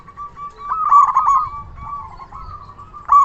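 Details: Local Indonesian zebra dove with a big voice, singing to lure other doves into answering: low, rolling coos with a rapid stuttered burst in the middle and a fresh phrase starting at the end.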